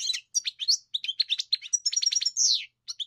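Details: Dense burst of European goldfinch song with high, tinkling chirps, a clear sustained whistle, then a descending slurred note and a few closing twitters.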